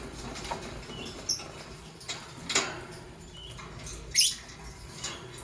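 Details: Lovebirds, a green Fischer's and a pastel blue bird, chirping in the morning: a few faint high squeaks, then one loud shrill sweeping chirp near the end, over steady low rumble and scratchy rustling.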